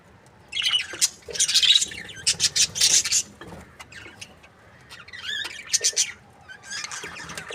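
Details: Budgerigar breeding pair, described as happy, chirping in bursts of bright, scratchy warbles and squawky chatter, with short wavering whistles between quieter gaps.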